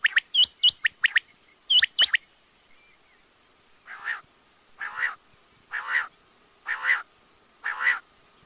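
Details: Quail: opening with quick sharp chirped notes in pairs, then six harsh, buzzy rasping notes spaced about one second apart against a quiet background.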